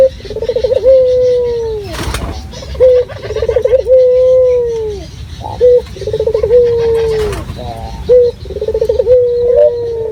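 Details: Local dove calling actively as a lure to provoke rivals: four or five phrases, each a rapid pulsing trill flowing into a long smooth coo, separated by short sharp notes and a brief knock.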